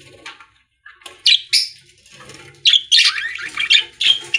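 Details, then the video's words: Budgerigars in a pet store: sparse squawks at first, then a longer run of buzzy, warbled chatter. "Budgies singing in Pet Store | Parakeet Sounds"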